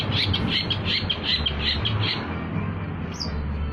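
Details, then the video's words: Lure song of a long-tailed shrike for trapping: rapid series of about ten raspy chattering notes repeated briskly, followed by a single high thin whistle, with continuous low rumbling background. "PANCINGAN CENDET, CENDET GACOR"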